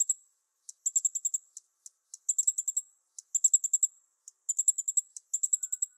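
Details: Fire-breasted Flowerpecker, recorded 2011 at Shanlinxi, Taiwan, near mistletoe it feeds on, giving very high, thin ticking notes in quick bursts of four to seven, with single ticks between, in an otherwise quiet setting.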